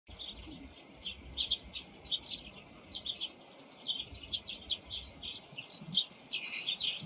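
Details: Eurasian tree sparrows (Passer montanus) in the morning chirp steadily in bright, overlapping chips and twitters, several birds calling at once, song and calls hard to tell apart, against a faint background hiss.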